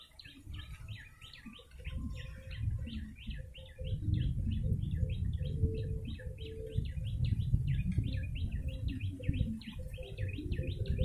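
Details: Lure recording of a yellow-bellied prinia, given in long, dense runs of sharp repeated chirps, about three each second, with steady low rumble and faint lower tones beneath.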